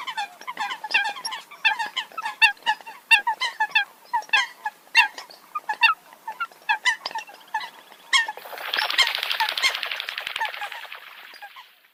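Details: Eurasian coot repeating short, honking nasal calls in quick irregular runs, often two or three together; after about eight seconds a burst of broad hissing noise partly covers the calls.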